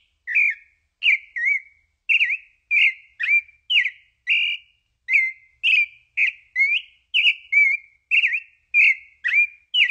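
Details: A pale-breasted thrush, Turdus amaurochalinus, delivers a continuous stream of brief whistled phrases, alternating rising, falling and wavering shapes, close to two notes per second, clear and loud with a silent background.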